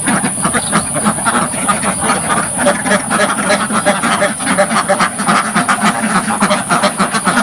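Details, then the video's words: Dozens of ducks quacking loudly in a village farm pen, recorded right at the front of the pen: dense, overlapping harsh nasal quacks, about three or more per second, a continuous noisy flock chorus with no music or talking. "LOUD Duck Sounds from the Front of the Pen"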